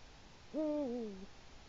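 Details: Eurasian eagle-owl visiting the nest and shaping the nest bowl, Latvian autumn evening, 1 October 2017: one rich, deep hoot gliding gently downward, a call showing the area is taken.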